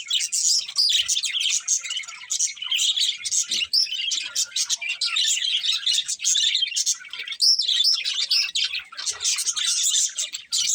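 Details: Chirping budgerigars fill the room with rapid, overlapping chirps, clicks and buzzy warbles in a continuous chatter, with a brief sharper squeak around the middle.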